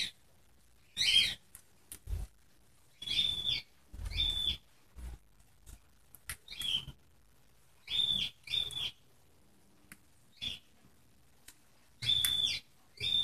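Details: Contented pet budgerigars in quiet, scratchy warbling bursts with brief whistled notes, coming in short phrases about every second, some soft thumps between.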